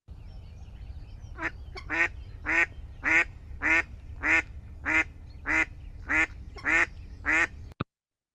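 A female mallard gives a series of about eleven loud, raspy quacks, evenly spaced roughly every half second, over a low background rumble.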